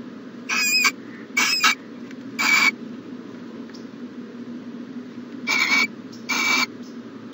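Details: Morning at an owl nest box, January 14, 2020: harsh hissing bursts, three in quick succession, a pause, then two more, above a constant background hum.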